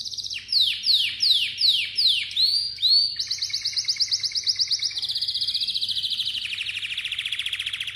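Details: Song of a Malta canary that opens with repeated down-sweeping whistled notes, roughly three a second. It then flows into extended fast trills that shift slightly in pitch, with a steady pulsing texture and a faint low background hum.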